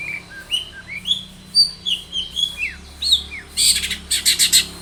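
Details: Long-tailed shrike in full, varied song, played as a lure to set other shrikes singing: a run of clear slurred whistles at changing pitches, then loud high buzzy bursts and quick clipped notes near the end.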